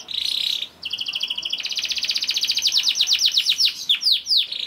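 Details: Young canary, kept as a cage bird, singing to prompt other canaries to sing: a steady high trill, then a long run of rapid downward-sweeping whistled notes, about four per second, ending in fast slurred chips.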